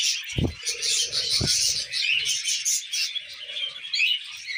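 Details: Tame budgerigars at millet give continuous warbling chatter, squeaky whistles and buzzy chirps, interrupted by two loud knocks early on and some soft rustling.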